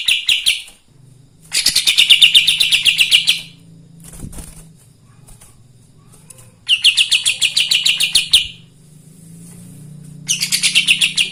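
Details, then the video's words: Bird singing in lively form, used to provoke other birds into excited singing; dense bursts of rapid, high chirps lasting one to two seconds, separated by short pauses with a low steady hum behind. "Kapas tembak gacor paling bisa bikin EMOSI burung bahan"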